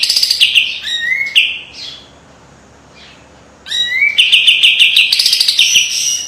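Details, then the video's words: Kapas tembak white-eye in master song: slurred rising whistles and quick chatter, a silent stretch, then a fresh burst of rapid repeated high notes. "SUARA KAPAS TEMBAK TAJAM DAN PEDAS‼️ SPESIALIS BESETAN RAPET PALING COCOK MASTERAN"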